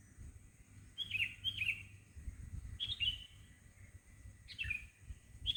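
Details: Wild birds chirping in the morning in front of a house: short, bright, slurred chirps, often in quick pairs, scattered at intervals over the clip, with a soft low hum of background noise.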